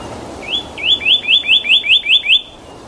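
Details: A cardinal sings in the wild, a quick series of about eight clear, upslurred whistles, each note rising sharply, repeated five times a second over a soft background hiss.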